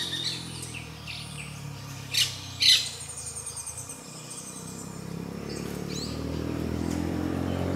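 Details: Mating grey-breasted parakeets: two loud, harsh squawks close together near the start, with scattered thin, high chirps and a low rumbling background hum throughout.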